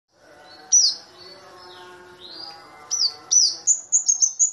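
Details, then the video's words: Kamade, a flowerpecker also called burung cabe-cabean, small but loud-voiced: sharp, thin, high descending tsip notes, first scattered, then a rapid run of ringing chips at the end over a faint low hum. "Pancingan Cabe-cabean"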